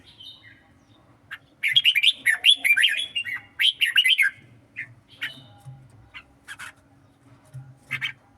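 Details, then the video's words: Red-whiskered bulbul, songkon type, in a singing duel: a dense two-second burst of rapid warbled notes, a second burst after a short gap, then sparse single chirps over a low background hum. "Chào mào songkon đấu hót"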